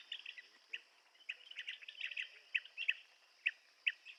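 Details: Blue-tailed bee-eater with clusters of buzzy, trilled chirps and a few louder single notes spaced irregularly, while insects buzz steadily in the background.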